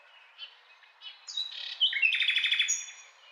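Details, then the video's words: Short nightingale phrase starting with soft scattered notes, swelling into a fast, loud rattling trill of about ten pulses with high whistles above. "Beautiful Nightingale Singing"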